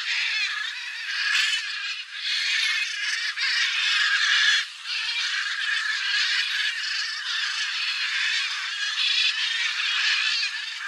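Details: A flock of blue-and-yellow macaws (Ara ararauna) returning after feeding on soybeans left by a harvester in Cerrado farmland gives loud, harsh, raspy squawks, many birds calling over one another in a continuous overlapping din.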